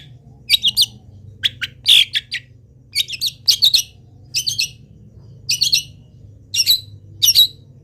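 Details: Long-tailed shrike in full song while moulting, its phrases borrowed from wild birds: clusters of high, sharp twittering chirps delivered in short groups with brief pauses, over a low steady hum.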